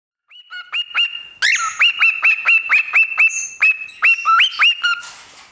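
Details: Pet parrot singing into a microphone: a long steady whistle, then a rapid series of bright upward-flicking whistled notes, about two per second, with a harsh buzzy burst near the start and a hiss at the end.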